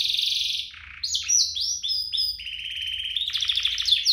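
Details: Canary song used as a master recording to prompt other canaries to sing; varied phrases of fast trills and sweeping whistles, some buzzy rattling segments and falling notes, continuous and loud.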